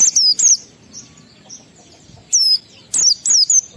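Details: Oriental white-eye giving clear, high whistles that slide downward, a 'ngalas' style song to raise emotion and breeding urge in other white-eyes; paired notes at the start, then three more after a quiet stretch.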